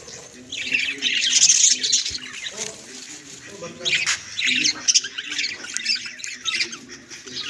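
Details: Budgies kept at home chattering continuously: rapid scratchy warbles, squeaks and squawks running together in uneven bursts, with a faint low hum in the room.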